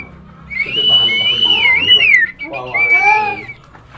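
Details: Tame, actively singing Nias hill myna used as training audio to prompt other birds to sing: a loud, wavering whistle sliding up and down, followed by a shorter level whistle over a layered, voice-like tone.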